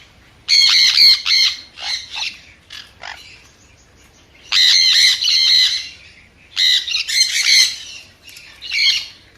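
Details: Sun conure giving loud, shrill, rasping squawks in three bursts of rapid repeated notes, separated by short pauses with softer chatter.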